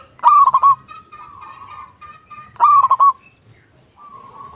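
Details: Local zebra dove (perkutut) in full song, ready for contest. Two loud cooing phrases about 2.3 seconds apart, each with a sharp start followed by four or five quick pulsed notes. Fainter steady coos from other doves fill the gaps, with a low rumble underneath.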